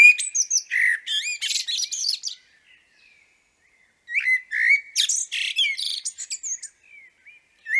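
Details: Common blackbird singing in the background in Liepāja, Latvia, in May 2024: two bursts of low fluty warbles running into thin, squeaky twitters, separated by a brief silent pause.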